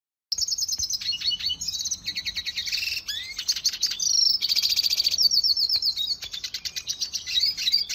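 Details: Red siskin training song for cage birds from Venezuela lineage, recorded 2020: long, vigorous, high twittering with fast trills, buzzy rattles and a rising slur, sung almost without pause.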